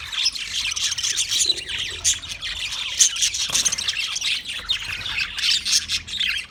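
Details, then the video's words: Budgerigars squawking and chirping together, a thick wall of shrill, scratchy notes with regular louder spikes every second or so. "Parrot Calling sounds, Parrot sound video , Natural Budgie Parrot video , Birds chirping sounds"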